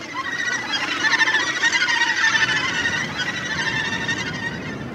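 A dense colony chorus of Australasian gannets: harsh, grating, overlapping cries that blend into an unbroken wall of noise.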